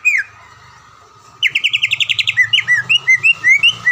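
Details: Greater green leafbird, a caged contest champion from the Palembang area recorded for training other birds: one whistled note, a pause, then a fast run of repeated notes turning into slurred upward whistles over a low hum.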